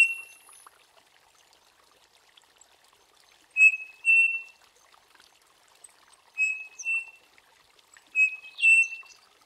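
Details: Striped cuckoo, also called saci, peitica or peixe frito, singing its mysterious song: clear whistled two-note phrases, the second note slightly higher and longer, repeated every two to three seconds, with faint high chirps behind.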